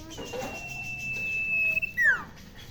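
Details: Tame Sirpu bird kept at home, chirping shrilly as it does near people: a long, flat, piercing whistle, then a sharp downward-sliding note, over quiet indoor background.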